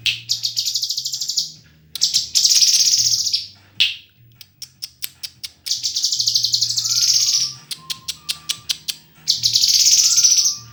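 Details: White-rumped shama singing: dense, buzzy high trills in long bursts, separated by rapid clicking notes and a few short, low, level whistles, with a steady low hum underneath.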